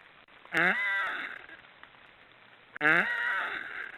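Black storks give two hoarse, wheezy snoring calls about two seconds apart, each a rough, rising nasal rasp that trails into breathy hiss.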